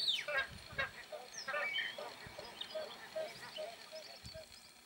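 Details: Magpie geese filmed in the Northern Territory, giving short honking calls in scattered bursts, several birds overlapping with nasal notes and higher yelps, a faint background hum throughout.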